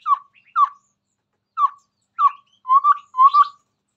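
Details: Chestnut-rumped babbler in lively song before a phone: short, low, down-slurred whistles in pairs with gaps, closing with two longer doubled mellow whistles.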